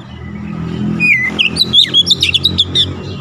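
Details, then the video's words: Oriental magpie-robin (kacer) song: a rising sequence of clear whistled notes followed by quick, varied chirps and trills, set over a steady low rumble of traffic. "KICAUAN OBAT KACER SETRES CEPAT SEMBUH DAN GACOR NGOTOT BONGKAR ISIAN"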